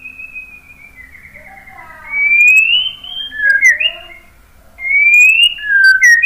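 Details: White-rumped shama song with clear rising and falling whistled slurs after a quiet opening, phrases separated by short gaps; faint low hum underneath.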